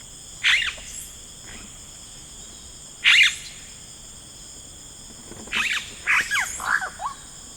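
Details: Rainforest yellow-rumped cacique giving loud crackling bursts, then a run of quick liquid downslurred notes, over a steady shrill insect hum.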